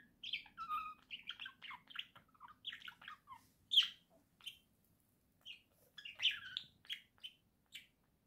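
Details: Pet budgerigars, described as a caged pair, singing in November 2024: a busy, chattering warble of short chirps, squeaks and buzzy notes, mostly high-pitched, with a few louder sharp squeaks and brief pauses between bursts.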